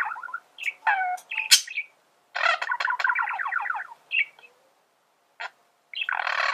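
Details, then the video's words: Singing male budgerigar: scattered chirps and a squeak, then a long buzzy warble of rapidly repeated pulsed notes, a pause, and a harsh rasping burst at the end. "فيديو ممتع لتغريد ذكر بادجي"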